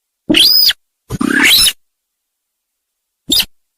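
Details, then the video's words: Sintar sawah lure call used in trapping: a harsh note carrying a thin whistled overtone, then a longer grating, churring rasp, and a single brief dry cluck after a pause. "Suara Pikat Burung Sintar Sawah"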